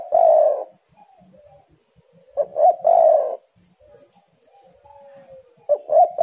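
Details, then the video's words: Spotted dove in full song, birds provoking one another: deep coo phrases of stuttered short notes followed by a longer rolling coo, arriving about every 2.5 seconds, with faint thin whistles and low rumbles in the gaps. "tekukur super gacor saling memanas"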